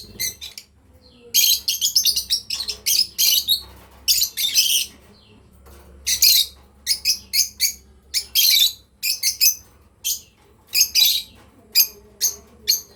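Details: Breeding pair of lovebirds chirping: sharp, high, scratchy chirps in quick bursts and short clusters, with brief pauses between runs and a faint low hum underneath.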